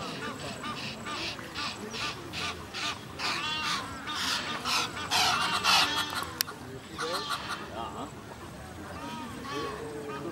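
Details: Allen's gallinule at Lake Awassa, Ethiopia, gives quick, nasal, clucking notes in busy runs of about two per second, rising and falling, with other wetland calls overlapping.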